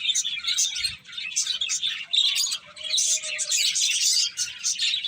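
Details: Several finches feeding together give rapid, high-pitched chirps in bursts, with brief pauses near the first and second seconds and one faint drawn-out mid-pitched note.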